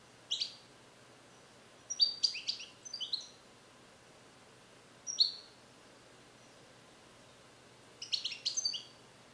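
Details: Captive-bred male European goldfinch, hatched in 2021 in the USA and song-trained with Neapolitan passages, sings from a small carrier. Short bright twittering bursts come in scattered groups, with quiet gaps of a second or more between them.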